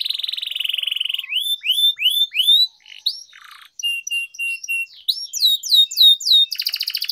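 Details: Canary song for tutoring young birds, with long rolls: a steady buzzy trill, rising slurred whistles, a run of level chips, then high downswept notes and another fast roll.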